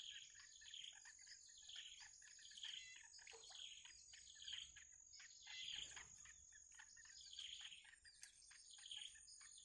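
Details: Wild bittern chicks waiting for the mother to return with food: high, thin chirps in quick clusters, repeated about every second, over a steady high-pitched insect drone.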